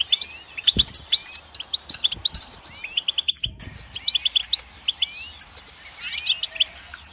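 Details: Goldfinch singing a fast, liquid twitter of sharp high notes and rising slurs, with a short gap partway through. A brief low knock is heard near the start.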